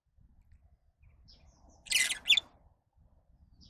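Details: Lovebird letting out a harsh, broadband squawking chirp followed by a shorter shrill note, over a quiet low rumbling background.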